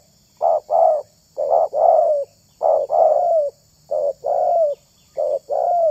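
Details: Spotted dove lure call: groups of low, rounded coos, a clipped note then a longer falling one, separated by short pauses, with a clean quiet background.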